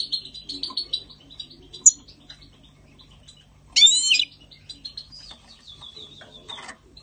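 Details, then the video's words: Spring 2020 European goldfinch song, fairly soft and sparse: scattered high tinkling notes and a short buzzy run, with one loud, sharp twittered flourish and a thin trailing trill near the end. "Chant chardonneret"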